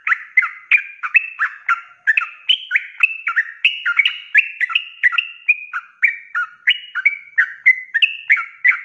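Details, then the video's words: Extended ropelan run from an active sooty-headed bulbul, a recording meant to train cage birds: a rapid, continuous flow of warbling whistles, some notes swooping up to a higher pitch midway. "SUARA ROPELAN BURUNG TRUCUK GACOR"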